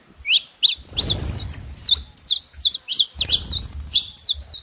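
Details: Saffron finches together: rapid high chips and slurred tweets repeated in quick succession, some notes rising and falling sharply, with bursts of low rustling noise behind.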